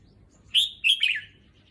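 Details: Caged red-whiskered bulbul settling into a new cage in a new place, giving a short phrase: a bright whistled note followed by a warbling, tumbling two-part note dropping in pitch, over a quiet background.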